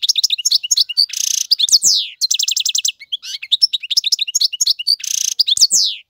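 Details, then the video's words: European goldfinch male, chosen to teach young birds, in continuous fast song: tinkling high twitters, two harsh buzzy bursts, downslurred whistles and a rattling series of repeated trill notes, richly varied. "اقوى تغاريد الحسون, مقنين فحل لتعليم الفراخ"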